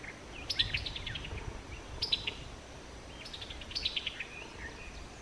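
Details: Summer tanager giving its distinctive chuckling call note in summer: quick runs of sharp, descending staccato notes, three bursts over about five seconds, fairly faint against a soft background hiss.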